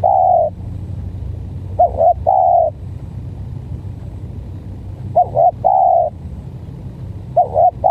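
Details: Spotted dove in a contest between a stuttering-style decoy and a strange-voiced bird: three mellow coo phrases, each a quick wavering double note followed by a longer steady hoot, about two seconds apart, over low rumbling background noise.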